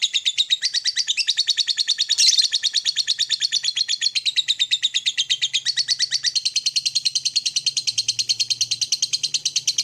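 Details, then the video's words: Long morning ngekek of a lovebird, meant to spur other lovebirds into trilling. It is a sustained high, rattling chatter of rapid, evenly spaced buzzy pulses that runs without pause, with a faint low hum beneath. "SUARA PEMACU Ini Bikin Love Bird Ngeroll & Ngekek Ganas!"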